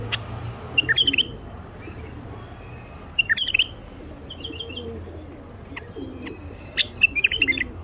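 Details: Male common bulbul singing to coax silent wild bulbuls into song and mating. Short bright whistled bursts come roughly every three seconds, with soft trilled notes between, over a constant low background rumble.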